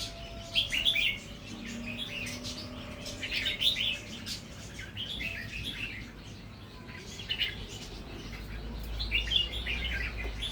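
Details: Red-whiskered bulbul, natural singing line, starting to add doubled phrases; repeated cheerful warbled bursts every couple of seconds, with low humming noise beneath.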